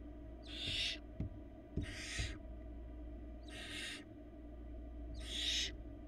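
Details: Barn owl nestling in Florida, 2022 nesting season, now eating small pieces unaided. Four harsh, drawn-out hissing screeches spaced about one and a half seconds apart, with a few soft knocks and clicks between them over a steady hum.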